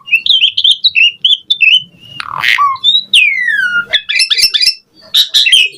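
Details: Asian pied starling singing a showy varied song meant to prompt other starlings to sing; chattering whistled notes, then a harsh raspy squawk, a long clear whistle sliding downward, and dense twittering chatter.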